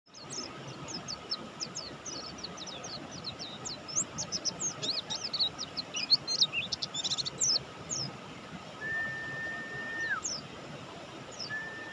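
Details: Mountain white-eye of the Buxtoni type singing vigorously: quick, thin, high chirps scattered in bursts, with a steady level tone held for about a second near the end and a low constant hum beneath.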